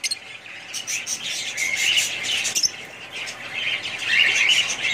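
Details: Budgies give rapid, dense twittering with high chirps and warbles tumbling over each other, growing louder toward the end.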